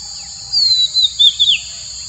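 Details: Male common cuckoo giving an uncommon call when very excited to mate with the female: a quick series of four high, thin whistled notes, each sliding downward, over about one second, above a steady faint hum.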